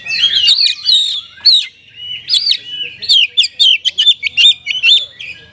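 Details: Oriental magpie-robin (kacer) with kapas tembak–style isian: warbled whistles at the start, then an accelerating string of short, crisp repeated notes.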